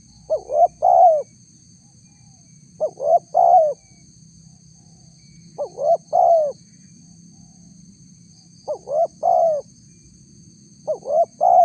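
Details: Spotted dove lure call for wild doves: five soft three-note coo phrases at intervals of about 2.5 seconds, short, short, long, the final note falling, with a steady thin high whine throughout.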